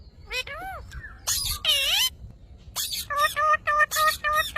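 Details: Pet parrot making talking and funny sounds: gliding, whistled, speech-like syllables, then squeaky, noisy bursts and a quick run of clipped, repeated notes about four per second.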